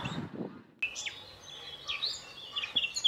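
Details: A European robin in spring sings thin, high, warbling phrases with brief trills and slurred whistles, shifting in pitch, after a short low rustling at the start.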